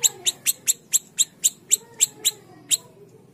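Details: Small siri-siri song used as a lure to get other birds singing quickly: sharp, very high chirps, eleven in about three seconds at a fairly steady rate of four per second, stopping before the end.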